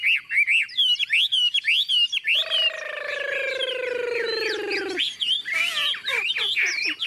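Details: Tame, newly arrived caged Chinese Hwamei with yellow legs and bill, filmed when heavy rain started: bouncing whistled phrases broken by a long, low, buzzy falling note, then the lively whistling resumes.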